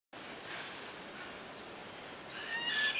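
A Yellow-headed caracara gives a brief, harsh, wavering scream near the end, over a steady high insect drone.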